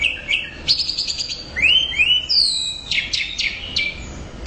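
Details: Orange-headed thrush singing loudly and persistently: scratchy repeated notes, then smooth upward-curving whistles and a falling whistle, ending in a burst of rough, buzzy notes.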